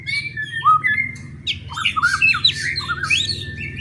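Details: White-rumped shama singing loudly to provoke other shamas into singing and fighting: a varied run of clear whistled notes, rising and falling slurs and short chattering phrases, with a steady low hum underneath.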